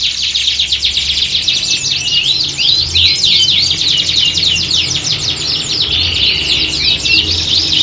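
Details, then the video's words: Canaries singing together in a contest-like setting to train them for singing competitions; fast, repeated chirps and trills about four per second merge into a continuous high chorus over a faint low hum. "Kicauan Squad Kenari Siap Gantang!"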